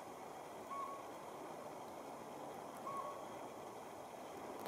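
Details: Northern pygmy owl at Auburn, California, on 19 February 2019, giving two short, clear, mid-pitched toots about two seconds apart, over a steady rushing background like flowing water.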